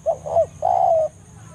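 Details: A single full spotted dove phrase, two quick soft notes and a drawn-out falling coo, the forest lure call used to summon a rival dove.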